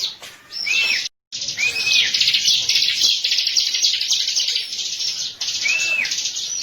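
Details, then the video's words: Bar-winged prinia master lure song: rapid, high, scratchy trilling is punctuated three times by a lower, curved whistle, with a brief silent gap after one second. "MASTER PANCINGAN BURUNG CIBLEK KESAYANGAN"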